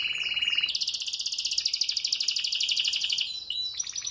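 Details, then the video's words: Canary in moult, still singing all day: a thin high trill leads into a loud, fast, evenly pulsed roll lasting about three seconds, ending with brief chirps. "Mesmo trocando pena, canta muito"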